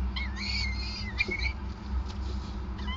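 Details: Peregrine falcon at a nest in Groningen on 5 May 2020 during a long feeding session; harsh, wailing harmonic calls in a drawn-out series for the first second and a half, then quieter, over a constant low mechanical hum.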